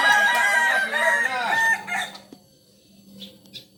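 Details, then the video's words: Kukuak Balenggek chicken, a rooster from Solok, crowing: loud harmonic crow held about 1.7 seconds with wavering pitch, followed by a shorter second burst, then quiet with faint background sounds. "Ayam kukuak balenggek asli solok"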